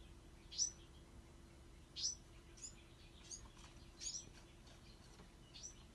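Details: High, thin squeaky chirps from Bewick's wren fledglings, single or paired notes spaced one to two seconds apart, against faint steady background noise.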